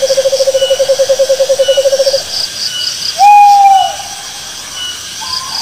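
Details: Owl giving a rapid, even pulsed trill on one mid pitch for about two seconds, followed by a single louder, slightly arched whistled note and a faint higher note; insects shrill steadily in the background.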